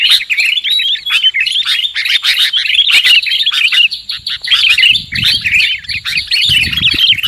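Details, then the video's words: Sooty-headed bulbul call played as a lure to trap birds: busy, overlapping twitters and slurred chirps run without a break, with a low rumbling noise joining in the second half. "Suara PIKAT Burung KUTILANG"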